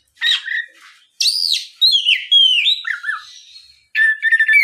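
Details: Oriental magpie-robin song for luring other magpie-robins into song: long loud whistled phrases that arch, slide down and wobble, followed by a harsher chattering burst.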